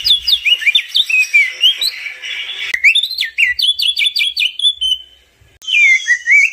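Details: A crested white-eye sings rapid, bright whistled phrases of rising and falling slurs, pausing briefly before another high twittering run.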